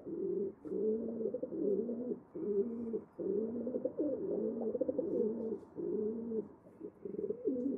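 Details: Continuous pigeon cooing: deep, bubbling phrases repeated with short gaps, the warbling notes rising and falling slightly, heard in a calm, indoor-sounding setting.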